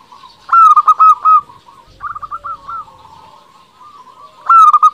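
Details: Local Zebra Dove singing as a lure for rival doves: a clear four-note coo burst, a softer rippling phrase two seconds later, then another strong burst starting near the end.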